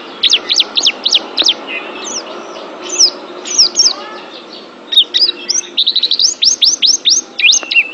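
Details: Oriental white-eye song used for mental training of pet birds: rapid bursts of high, thin, sharply rising and falling whistled notes, clustered in quick runs with short pauses and a faint background hum.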